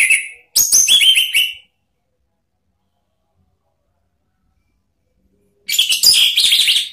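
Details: Orange-headed thrush, locally anis merah, singing to challenge rivals: dense chattering whistled phrases at the start and end, separated by about four seconds of silence.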